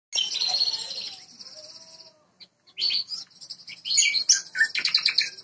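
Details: Jambu bird from West Nusa Tenggara, a first-place contest winner in Bima, singing vigorously: a burst of high, dense warbling, then a short pause and a busy run of sharp, chattering notes and quick trills.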